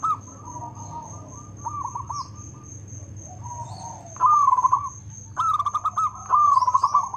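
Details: Active local zebra dove with a loud, well-rhythmed song: softer distant coo phrases for four seconds, then three loud bursts of rapid, rattling, rolling coos. A steady high tone and low hum are present throughout.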